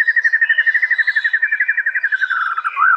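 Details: Fierce shama contest burst from East Java, Indonesia, recorded on a phone for a master compilation: a fast, even run of repeated clear notes, about four per second, gently falling in pitch, ending in a looping whistle.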